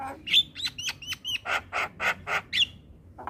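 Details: Morning song of a Javan pied starling, played for young starlings to learn: a run of short hooked whistles, then five even, throaty harsh notes and a final whistled note.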